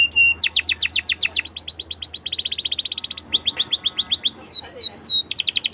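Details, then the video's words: Canary singing a long rolling song, used as a lure to teach young canaries to sing. Repeated tours of syllables: a steady whistle, fast descending chips, dense high trills and sweeping upslurred notes, changing every second or so. "PALING D CARI UNTUK PANCINGAN KENARI PAUD BELAJAR BUNYI!!"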